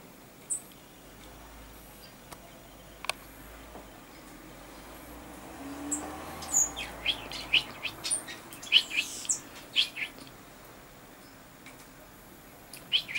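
Common chaffinch giving short, sharp, high call notes, scattered at first, then a quicker run of about a dozen over four seconds, against a faint hiss.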